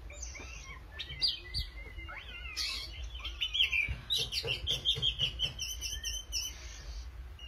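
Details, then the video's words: Oriental magpie-robin in lively, vigorous song: slurred rising and falling whistles give way to a rapid run of buzzy, scratchy notes repeated about three times a second, over a steady low hum. "kacer gacor manteb banget"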